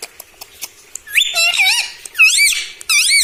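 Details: Indoor pet parrot said to talk mitthu mitthu and mummy: a rapid run of bright, looping, high-pitched syllables in about four bursts, after soft tapping sounds.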